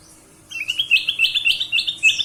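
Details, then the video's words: Ruby-throated bulbul used to coax other birds into singing: a lively string of about eight rapid chirping whistles, each briefly rising and falling, run together in a bubbling phrase. "kutilang emas suara pancingan"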